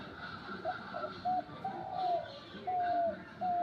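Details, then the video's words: Double bird, a home-kept bird put up in a tree after a week, recorded on 1 January 2025, giving clear mellow whistled notes that slide gently downward, spaced irregularly about once a second, over low background noise. "ডবল পাখির মধুর ডাক"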